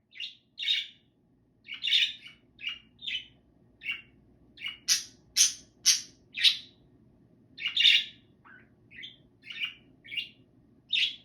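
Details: A pet budgerigar chatting with its owner while she works gives quick, scratchy chirps and squawks in short bursts.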